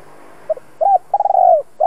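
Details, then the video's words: Two-ending spotted dove in the 'giọng đồng' voice style, kept for training decoys, gives a quick double note, an arched coo and a long throbbing rolled coo that falls away, another coo beginning at the end. "Chim cu gáy hai hậu giọng hay kích bổi tập mồi hiệu quả nhất. Cu gáy mồi cây kích bổi"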